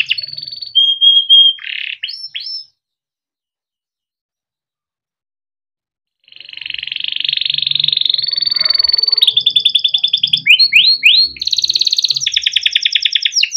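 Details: ['Caged male yellow canary singing a long tutor song for young birds: a high whistled note and short trill, a silent gap of about three seconds, then a dense buzzing roll, steady trilled phrases and quick swooping chirps.']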